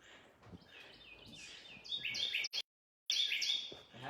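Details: At a barrier island in South Carolina, a Carolina wren, very small but very loud, calls with rapid, ringing, high whistled phrases repeated in quick succession over a faint background murmur.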